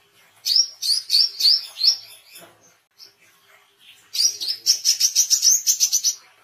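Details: Oriental white-eye singing vigorously, recorded for tutoring songbirds and luring wild birds: two bursts of high, thin, rapid chirps, each slurring slightly upward, repeated about three per second, with a quiet gap between bursts.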